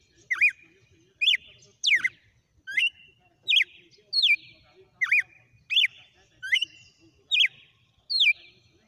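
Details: Caged red-cowled cardinal singing a long sequence of repeated short whistled phrases, each a quick rising-and-falling clear note, delivered roughly every three-quarters of a second in a steady run.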